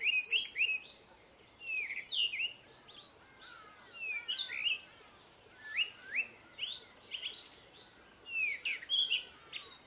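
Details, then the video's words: Melodious garden song of a Cape robin-chat, including mimicry: rapid clusters of clear whistled slurs and high chirps, with brief pauses between busy phrases. "CAPE ROBIN-CHAT'S melody, mimicry and scolding"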